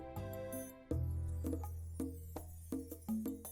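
Music with sustained low tones and woody percussive knocks, and no animal voice.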